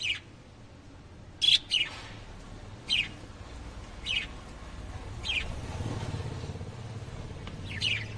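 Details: Lovebirds calling: short, sharp high chirps and squawks, spaced irregularly about a second apart, some doubled, over quiet low background rumble.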